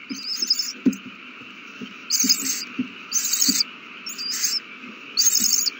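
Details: Hungry owl chicks at feeding time on March 27, 2020 give loud breathy screeches in uneven bursts, over soft scuffling taps and knocks and a low background hum.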